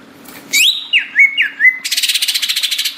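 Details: Greater green leafbird song: a loud upward whistle, three clear down-and-up slurred notes, then a rapid buzzy trill of evenly pulsed notes, with a faint steady hum beneath.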